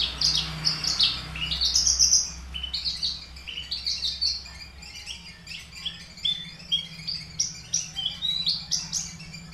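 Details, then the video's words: Horsfield's bush lark, subspecies aliena from Papua, caged and tutored with finch songs, chatters in rapid high twittering phrases that grow scattered and softer toward the end, over a low steady hum. "branjangan aliena gacor / mirafra javanica aliena / branjagan papua"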